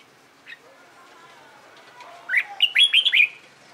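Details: Red-whiskered bulbul in competition song training, one faint note followed by a quick rising-and-falling burst of bright whistled notes near the end.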